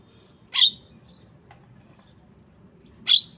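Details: A Javan myna, known locally as jalak kebo, utters two loud, grating notes about two and a half seconds apart, with a faint softer note in between.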